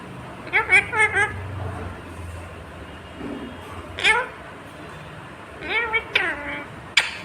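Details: A pet green rose-ringed (ringneck) parakeet talks in a shrill, nasal voice, apparently saying "mummy papa": a quick run of word-like syllables, then three more short phrases a few seconds apart, ending with a sharp click.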